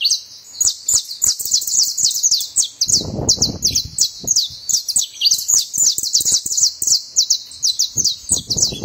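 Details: A saffron finch sings a long, busy stream of thin, high chips and short slurred notes, almost continuous, broken by a low rumbling thud near the middle and light clicking noises.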